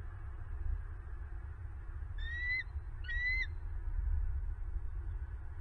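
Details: Nest-camera recording of bald eagles in Southwest Florida on a November 2022 morning: two high, thin, whistled calls, each briefly rising then dropping, come about a second apart midway through, over a constant low background rumble.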